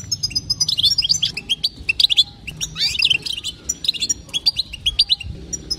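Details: Lively batbata calling from a female European goldfinch, meant to make males sing nonstop: rapid tinkling chirps run almost without pause, with thicker twittering bursts around the second and third seconds.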